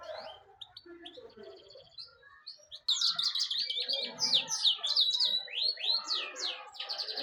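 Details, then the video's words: European goldfinch singing nicely: softer scattered notes at first, then from about three seconds a loud, dense run of high, quick twittering and liquid chirps that slur up and down and carry on to the end. "golden finch singing nicely طيور الحسون الذهبي تغني بشكل جميل"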